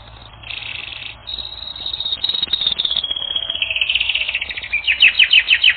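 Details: Domestic canary on a training recording, starting softly with a buzzy trill, then louder rolling tours of quick repeated notes, ending in pulsing chirps repeated about five times a second.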